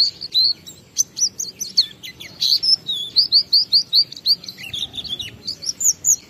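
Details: Oriental white-eye singing ngalas style, recorded as a lure so other white-eyes start singing: an even, energetic series of high, whistled, looping chirps repeated steadily, about three each second.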